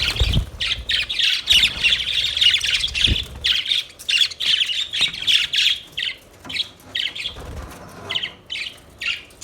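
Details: Budgerigars chirping steadily in a continuous warble of rapid, scratchy, buzzy notes in short bursts, with a few dull thumps in the background.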